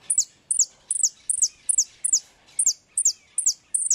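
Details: European goldfinch delivering repique song, bright descending high notes, some doubled, repeated evenly at about two and a half per second in a clean recording.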